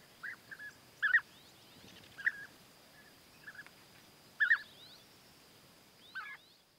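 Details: Sparse rolling calls of European bee-eaters while the male courts the female with gifts of food; single trills or short pairs arrive every second or two, separated by quiet gaps.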